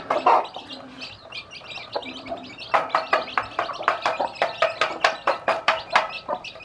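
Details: Hen with many newly hatched chicks, teaching the baby chicks to eat; soft low calls and higher chirps open, then a run of sharp broadband clicks repeating roughly three times a second, like rapid pecking.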